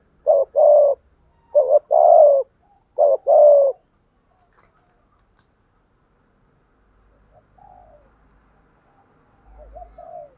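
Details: Decoy spotted dove's 'thúc gù' cooing: three quick, evenly spaced throaty coos in the first four seconds, then quiet, with soft faint murmuring notes toward the end.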